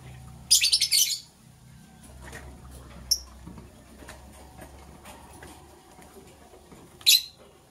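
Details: Green and blue lovebirds getting ready to lay eggs: a rapid, scratchy string of high chirps for about half a second, then quiet, a single short tick, and another sharp chirp burst near the end.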